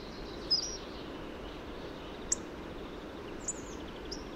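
Hawfinch giving sparse, sharp high ticks and brief thin notes about once a second or less, over a steady background hiss.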